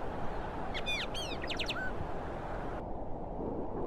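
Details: Austral blackbird, vocalizing and bathing on Cerro Banitez in Chile's Magallanes Region, gives a short series of clear, downslurred whistled notes ending in a lower liquid note, set against constant broad background noise.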